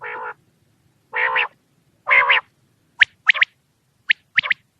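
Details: Quail at night gives three nasal, buzzy notes about a second apart, then sharp, high clipped pips in quick pairs and triplets. No other sounds.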